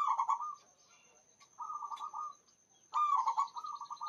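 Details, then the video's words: Local zebra dove in full voice, singing loud and long: three rapid, rolling cooed trills, each about half a second to a second long, separated by short pauses, over a steady thin high whine. "PERKUTUT LOKAL GACOR SUARA BESAR DAN PANJANG"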